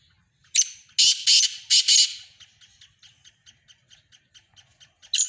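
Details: Black francolin of Sindh delivering a harsh phrase of four quick grating bursts, then a long trail of faint, evenly spaced dry clicks about four per second, ending with another loud rasp.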